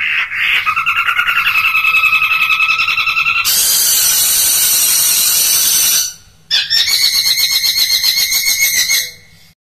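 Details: Long-tailed shrike in full varied song for tutoring and prompting: long buzzy, rapidly trilled notes, then a broad harsh screeching stretch, a brief pause, and another high buzzy trill.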